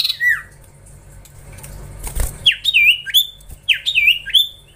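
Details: Young common iora being trained, in lively voice, gives a downslurred whistle, a pause with faint noise, then two similar bursts of quick looping, wavering whistles.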